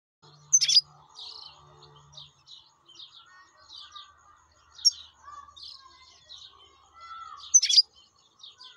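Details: European goldfinch, described as wild, singing: scattered short twittering and buzzy notes, with sharp bright high notes near one, five and seven and a half seconds, over faint lower warbling sounds.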